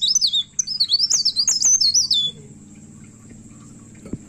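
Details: A myna in vigorous, aggressive song while looking for a rival gives a fast burst of sharp, sliding whistles and chirps for about two seconds, then falls quiet apart from a low background hum.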